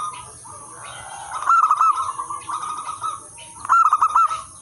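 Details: Cooing of local zebra doves meant to draw in and train other zebra doves: soft hum-like coos, then two bright rapid rolling phrases of clipped notes about two seconds apart, with a constant high-pitched hiss.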